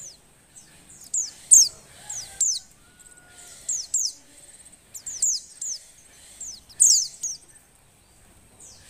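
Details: Female Oriental white-eye in breeding condition, calling to stir males into song; a busy series of quick high downslurred chirps, often in pairs or triplets, with brief pauses.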